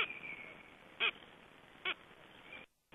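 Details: Black stork chicks shortly before their hatching date give two short, squeaky, nasal calls nearly a second apart, with a thin high whine and soft hiss behind them.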